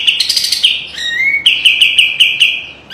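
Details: Sharp, spicy kapas tembak white-eye song for training other birds: quick high chirps, then a thin rising whistle flowing into a steady chain of clipped notes.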